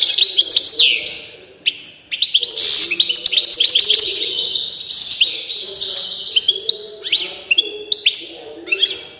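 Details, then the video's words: Singing 'fiery' goldfinch of the Balkan subspecies balcanica delivers one continuous stream of bright, fast twitters, chirps and slurred whistles that carries on without a break, then thins out toward the end. "Πυρωμένη καρδερίνα ( Carduelis Balcanica )"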